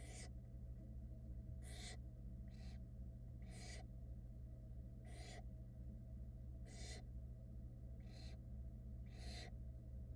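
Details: Around ten brief, hoarse hissing screeches from barn owl chicks at a Florida nest, 2022, while their drenched mother tries drying off; calls overlap irregularly over a persistent low electrical hum.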